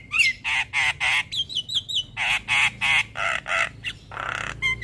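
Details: Lure recording of a Javan myna, used to coax stressed birds that have stopped singing. Harsh rasping squawks repeat roughly every third of a second, broken by a quick run of short whistled chirps.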